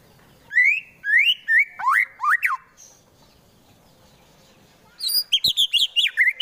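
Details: White-rumped shama, a caged fighter bird in Wonosobo, Central Java, delivering harsh provocative song meant to rouse rivals: a run of five loud rising-and-falling whistled phrases, a pause of about two seconds, then a quick volley of high chirped notes.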